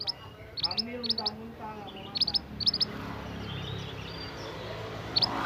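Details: Actively singing young wild Scarlet minivet: clusters of two or three shrill, high, thin chips repeated several times in the first three seconds, then one last pair, over a low murmuring background.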